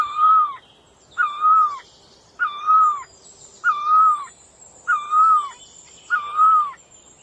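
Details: Bird calling in an even series: six clear, level whistled notes with a slight drop at the end, each about half a second long and repeated roughly every 1.2 seconds, over quiet background with faint high insect-like hiss.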